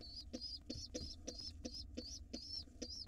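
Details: Wild pigeon nestlings in a nest box, begging while being fed a late dinner before dark: high, thin squeaky peeps repeated roughly every third of a second, about nine in quick succession, over a steady low hum.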